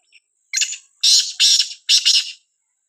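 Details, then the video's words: Sindhi black francolin calling in a village: a faint short note, then three loud, harsh, grating double-pulsed notes in quick succession over about two seconds, with nothing else heard. "Sindhi Kala teetar ki khubsurat awaaz gaon mein"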